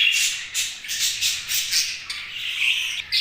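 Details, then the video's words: Budgies squawk and chirp in quick, harsh, high-pitched bursts, loud and almost unbroken, with a sudden sharp note at the end. "Budgies' Chirping Sounds"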